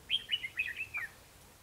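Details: Red-whiskered bulbul singing a fighting song in a trapping setting, 21 December 2015; one rapid warbled phrase of about six bright descending notes, followed by a brief spoken reply.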